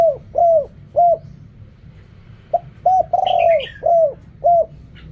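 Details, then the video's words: Spotted dove cooing in the Thai 'riak kham, khu kham, ok rong' style: two phrases of sliding coos, each with a long drawn falling coo, and a short burst of high chirps from another bird during the second. "เรียกคำ คูคำ อกร่อง เสียงนกเขาใหญ่"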